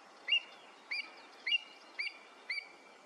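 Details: Wood sandpiper giving a series of five clear, high whistled notes, each a short sharp 'chip' with an upward flick, spaced about half a second apart, over a faint hiss of background noise.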